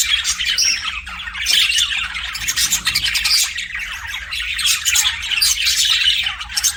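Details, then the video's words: Chirping pet budgerigars: rapid overlapping chatter of scratchy squawks and bright twitters that swells and dips, with a constant faint hum beneath. "BUDGIE CHIRPING SOUNDS"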